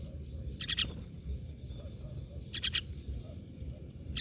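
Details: Two tight clusters of rapid, harsh myna notes about two seconds apart, then a final burst, over a low-pitched humming background.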